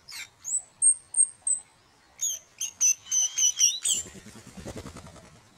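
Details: Blue-and-white flycatcher at a nest under house eaves during incubation, May 2013, giving thin, very high whistled notes about four a second; a second run drops slightly in pitch before rapid, lower rattling noise.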